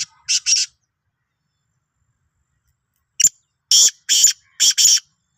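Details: Black francolin of the Sindhi type, dated 16 March 2023: a pair of grating notes, then about three seconds of silence, then a loud phrase of a click and four harsh buzzy notes in quick succession.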